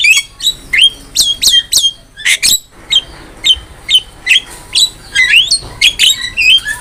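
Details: Javan myna singing energetically as a training master for songbirds, a steady stream of short whistled notes bending up and down, mixed with harsh clicks, repeated about every half second.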